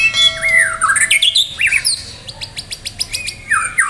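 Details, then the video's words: Medan white-rumped shama in full, lively song, ready for a singing contest: rich whistled phrases sweeping up and down, then a fast series of short, sharp repeated notes, ending with a falling whistle. "murai batu medan gacor siap ikut lomba || murai batu gacor full isian"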